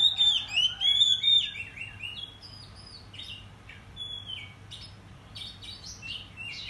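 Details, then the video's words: Agitated Oriental magpie-robin (kacer) singing in the morning. Opens with loud, clear, wavering whistles, then softer scattered chirps and sharp notes over a low hum. "Pancingan Kacer Bikin Emosi Agar Kacer Gacor ! Buka Ekor Ngobra"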